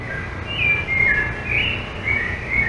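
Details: Rufous-bellied thrush in São Paulo city, Brazil, October 2023, singing short, clear, fluty whistled phrases, rising and falling, about two each second, over a faint low background rumble.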